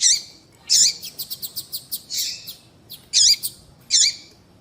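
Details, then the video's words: Female double-collared seedeater calling to attract males, used by breeders to warm up their birds; loud high chirps, a rapid even series of ticks, then three more strong chirps. "fêmea de papa capim chamando levanta até defunto seu papa capim vai ficar louco !"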